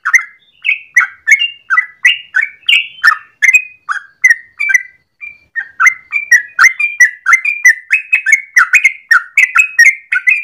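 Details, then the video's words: Yellow-vented bulbul in the morning giving a long, continuous 'gacor ropel' song, used as a lure or master for training birds: rapid bubbly, warbled notes tumbling up and down, nearly unbroken for ten seconds with a brief pause midway. "Trucukan gacor ropel panjang pagi hari"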